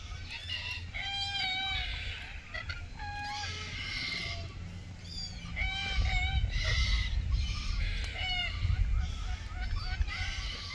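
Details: Red-tailed black cockatoos, filmed in June 2023 in Keep River National Park during mating/courtship, give short, nasal, slightly rising calls in loose bursts every second or so, over a steady low rumble of wind.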